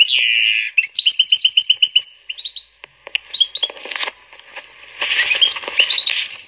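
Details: Canary and Portuguese goldfinch hybrid, bred from a female canary, singing vigorously: a buzzy high phrase, then rapid repeated chirping trills, a short pause near three seconds, and a dense twittering burst to finish.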